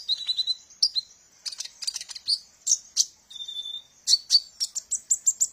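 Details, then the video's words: Sunbird known as kolibri ninja, song used for training birds; chattering high chirps mixed with short level whistles, a drawn-out thin note midway, then a fast ticking run. "suara burung Kolibri ninja | suara pemikat burung"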